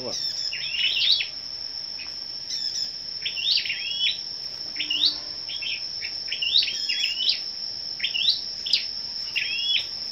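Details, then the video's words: A group of scarlet-backed flowerpeckers singing against each other on the morning of 10 May: spaced, short, high ticking phrases that rise and flick, repeated every second or so, over a continuous thin high whine. "Những Chú Chim Sâu Đầu Đỏ Siêng Hót Đấu"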